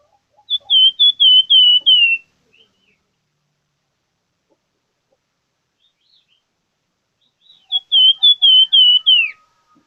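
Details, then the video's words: Actively singing plamboyan bird (gacor) delivering two bursts of rapid, high whistled notes, each burst slurring downward toward its end, with a long quiet pause between them in an otherwise silent setting. "BURUNG PLAMBOYAN Gacor"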